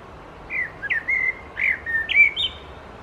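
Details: Common Blackbird song heard behind a Hooded Crow preening on a stone, Helsinki, Finland, July 2024: a flowing phrase of clear fluty whistles, some sliding down and some rising at the end, delivered in quick succession.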